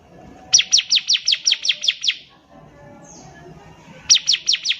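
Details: Bar-winged prinia singing energetically as a tutor for young birds: a fast string of around nine sharp falling chips, a pause with faint rumble and a soft distant note, then another run of high chips begins.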